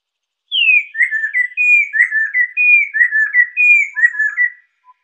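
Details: Chestnut-capped laughingthrush singing, used as a lure and tutor recording: a sharp falling whistle, then about eight rolling whistled phrases alternating higher and lower notes, roughly one per second, with silence around them.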